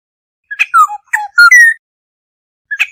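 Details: Lure recording of a Black-hooded oriole flock call: a single phrase of quick, mellow whistles, falling then rising at the end, followed by the start of the next phrase after a silent pause.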